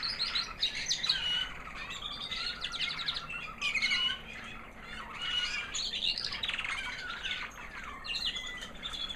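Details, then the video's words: Proven 2009 white American Singer canary hen singing after the molt: a long run of high, sweet trills and rapid buzzy notes in phrases, barely pausing. "Singing canary FEMALE - Proven 2009 American Singer white hen"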